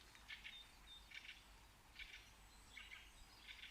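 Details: Quiet, distant bird chirps in paired bursts, repeating about every three quarters of a second with uneven gaps, over steady background hiss.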